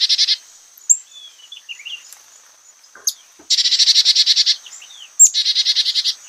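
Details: Carolina chickadee giving its namesake 'chickadee' call, with fewer 'dee' notes than the black-capped. A few high, thin introductory notes, then three bursts of quick, buzzy, harsh 'dee' notes rattled off rapidly.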